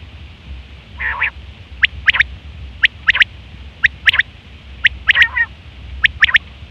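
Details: Female quail calls, recorded as a lure for quail trapping and hunting: short sharp notes in pairs and triplets, about one burst per second, with a brief fuller note near the start over a low steady rumble.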